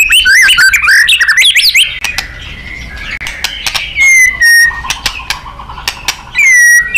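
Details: White-rumped shama in a loud, lively nembak-style training song for contest birds: dense warbled notes at first, then sharp clicks and long level whistles, ending in a burst of bright notes.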